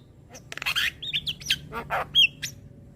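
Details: Javan myna song meant for training young birds. A short burst of scratchy chatter, then clear whistled slurs and one sharp high whistle near the end.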